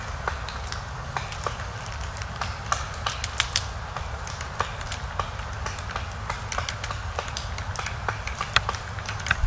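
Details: A female Eurasian three-toed woodpecker in forest strips bark from a pine while searching for insects and larvae. She makes sharp, irregular knocks, a few per second, not a steady drumroll. A black woodpecker hammering a pine nearby adds other knocks, over low wind rumble.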